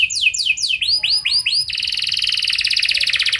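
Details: Lure song from a canary, sung in 'cengkok mewah' style: falling sweeps and arched notes lead into a long, even, very rapid buzzy trill.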